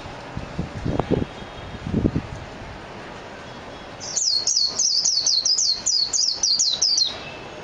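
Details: After a few seconds of low knocks and handling thuds, a Japanese white-eye (mejiro) bursts into a fast, high-pitched, warbling twitter of about a dozen quick chirping phrases lasting three seconds.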